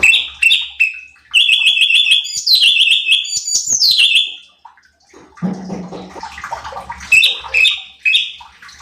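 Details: Cucak cungkok bulbul singing for a master track used to train contest birds: lively strings of quick descending whistles in several bursts, broken by a stretch of scratchy rustling, then more whistled notes.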